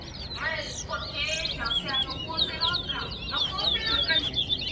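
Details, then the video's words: Chestnut-bellied seed finch (towa towa) singing at a bird song competition in Soesdyke, Guyana. Bright, rapid warbled phrases with buzzy trills and quick rising and falling notes, while a man counts songs aloud over background music. "TOWA TOWA BIRD COMPETITION AT SOESDYKE GUYANA"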